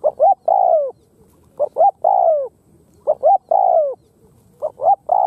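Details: A Khmer spotted dove repeats its call steadily, about every one and a half seconds: paired short notes leading into a drawn-out downward croo. No other sounds are heard.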